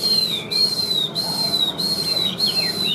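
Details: Chinese hwamei kept in a cage and praised as a steady, even singer repeats a high, clear whistle that falls slightly at its end, five times at roughly half-second intervals, with softer lower notes between.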